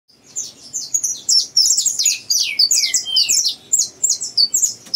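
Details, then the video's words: Young saffron finch from a breeder, still learning its song: dense bursts of bright, high chirps and short trills, broken by lower downward-sliding notes, in a quiet indoor setting. "canário da terra CT pesinho do Criatório aprendizagem"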